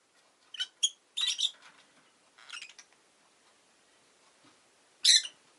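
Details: Harsh, scratchy chirps from a Rosy-faced lovebird: a quick cluster of short notes early on, a softer burst mid-way, then one loud sharp chirp near the end, over faint background hiss.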